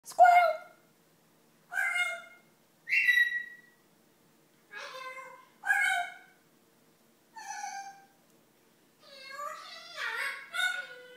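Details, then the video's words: Pet parrot mimicking human speech, imitating the phrases "Hi there!" and "Squirrel!" from a film's talking dog; a series of short harmonic, voice-like phrases separated by pauses, ending in a quicker jumble of syllables. "Parrot says "Hi There! Squirrel!" LIKE Doug the dog from movie UP!"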